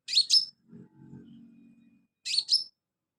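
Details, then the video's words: Active sunbird song meant as filler for training birds: paired high, buzzy chirps, then a pause with soft low rustling before another pair. "BURUNG KOLIBRI/CONIN GACOR buat isian"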